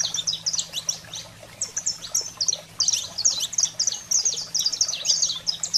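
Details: Saffron finch singing in the 'fogo selvagem' style used to excite pet canaries; thin high chirps run in clustered phrases with short gaps, some notes sliding down, a soft low background hum throughout.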